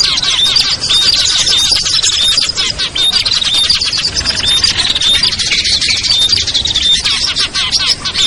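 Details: Small birds such as ciblek, kutilang, trucuk, sogon and perenjak in a lure mix to bring birds down; repeated thin whistles about once a second layered over a steady noisy wall of shrill chirping.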